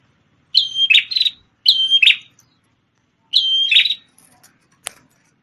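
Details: Red-headed prinia in full vigorous song, once used as a song tutor for a white-rumped shama: three phrases, each a clear high whistle sliding into a buzzy, chattering trill, spaced about a second apart with quiet gaps.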